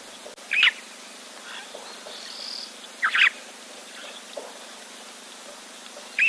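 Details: Red-billed buffalo weavers nesting in the tree above a waterhole camera give short, harsh chattering bursts about every three seconds, with fainter bird notes and a low outdoor hum behind. Red-billed Buffalo Weaver.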